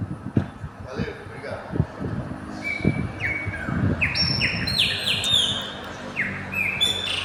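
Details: Chopi blackbird mating and nesting on a gas station roof; a rising run of bright whistled notes with abrupt pitch jumps and downslurs, growing louder toward the end, with low rumbling noise and thumps beneath.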